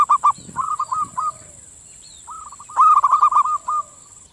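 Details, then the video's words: Local zebra doves (perkutut) giving soft, rapid cooing trills near one pitch in two bursts of quick repeated notes with a brief pause, calling back and forth, used as a lure call to set other doves cooing; steady high hiss. "SUARA PERKUTUT LOKAL SAUT SAUTAN, PERKUTUT MANAPUN LANGSUNG NYAUT"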